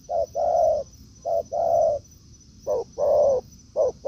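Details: Decoy spotted dove brought to the forest facing a wild dove; deep hoarse coos, each short note leading into a longer rolling one, pairs spaced over a second apart, with a continuous faint high tone.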